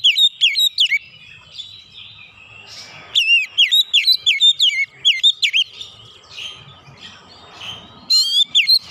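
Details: Oriental magpie-robin singing 'nembak' style with full repertoire: repeated bursts of loud, rapid, swooping whistled notes, several per second, broken by short passages of softer, scratchy warbles.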